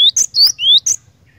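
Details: Cinereous tit in lively 'gacor' song: one short phrase of a sharp high chirp, a bright slurred note and a rising thin whistle, then a final chirp, with quiet low background hum.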